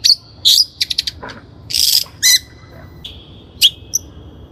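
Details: Lure recording of a Long-tailed shrike (cendet) for training birds: harsh high chatter, a quick stutter of notes, a scratchy buzz, then a sharp chip dropping into a thin whistle.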